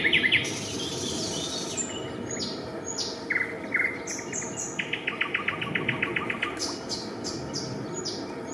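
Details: Eurasian coot at a family nest with chicks, Raszyn ponds near Warsaw, Poland, 4 May 2024: thin, high peeping notes, some in quick even runs of about eight per second, over a steady low rushing background.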